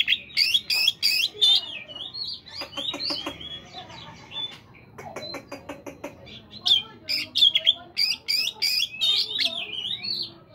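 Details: Morning song of a caged Oriental magpie-robin, a long varied phrase of sharp chattering bursts, rapid clicking trills and bright whistled slurs, delivered in uneven fast runs with short gaps.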